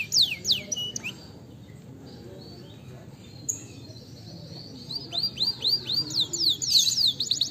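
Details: Canary singing, used as a lure to get other birds singing: a few high downslurred notes at the start, a long quiet gap with faint background noise, then a building run of sweeping whistled notes.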